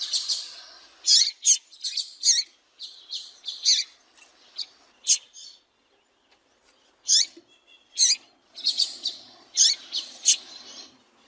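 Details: Calling female double-collared seedeater giving a lively run of thin, bright chirps, singly and in rapid clusters, with a brief silent gap midway and a faint low note under it; nothing else audible.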